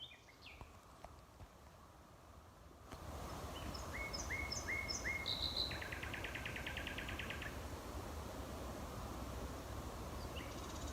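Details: Male common nightingale proclaiming territory late at night from dense thickets and hedgerows on the Knepp rewilding project, a former arable farm in West Sussex, May 2018: after a pause, a row of repeated piping notes gives way to a fast, rattling trill.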